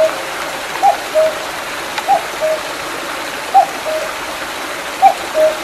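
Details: Cuckoo heard on a mountainside by a small stream after rain, July 2019, Mandeok-dong: two-note cuckoo call, falling from higher to lower, repeated every second and a half, somewhat softer against constant running water.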